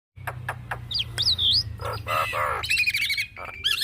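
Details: Javan myna in full, vigorous song, a recording used to lure and tutor songbirds: a few sharp clicks, then wavering whistled notes, followed by harsh, buzzy, rasping bursts and a rising whistle at the end.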